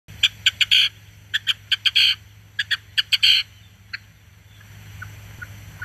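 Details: Red-legged Partridge singing: three rhythmic phrases, each a few short clipped notes ending in a longer harsh chuffing note, about one phrase per second, then a faint call and quiet, over a low steady hum.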